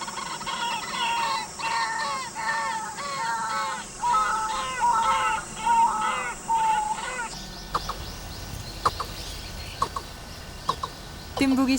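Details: A male White-breasted Waterhen in breeding season, its calls growing louder as mating nears, gives loud, harsh, nasal croaks more than once a second for about seven seconds. Quieter scattered clicks and rustles follow.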